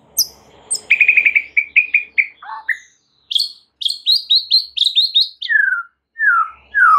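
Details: White-rumped shama training song for rousing other shamas to sing: a rapid buzzy trill, then a string of short whistled notes, a fast run of high sharp chips, and a few loud descending slurred whistles.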